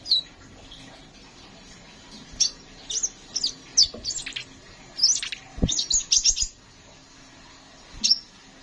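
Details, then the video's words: Kolibri ninja sunbird singing energetically in a long-rolling, varied style: scattered high chips, then a fast cluster of sharp notes near the middle, one isolated chirp closing the passage, and a few soft low knocks. "Burung Kolibri Sepah Raja gacor"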